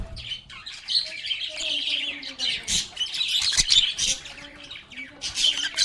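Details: Lovebirds (Agapornis) singing, playing and talking: several birds in dense, overlapping chatter of high chirps, squawks and warbles, with frequent sharp bursts and brief, louder squawky peaks throughout.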